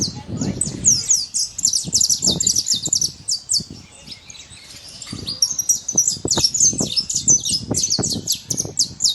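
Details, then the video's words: Saffron finch, free in its natural setting, giving rapid, high, crisp chirps in long bursts with a brief lull midway; low knocks and rustles sound underneath. "Canário da terra livre na natureza"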